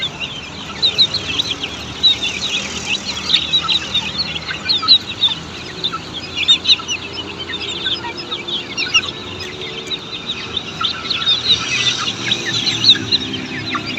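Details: Australorp chicks in a poultry farm setting, an unbroken chorus of high twittering peeps rising and falling in intensity throughout.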